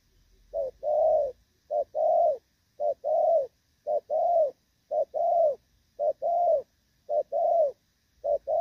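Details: Thổ Pha spotted dove, moulting yet cooing well, 3 June 2024: some eight regular couplets, each a brief note then a sustained, slightly falling coo, roughly one per second.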